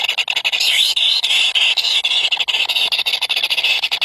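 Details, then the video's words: Three hungry baby birds begging for food: a dense, shrill, high-pitched squealing chorus that wavers slightly in pitch and runs almost without pause, broken by quick flickering dips throughout. "Three baby Bird is very hungry"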